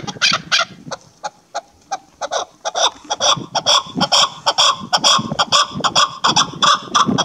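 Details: Female chukar partridge during the hunting season, giving loud, harsh clucking chak notes in rapid bursts, roughly two per second, steady and insistent throughout.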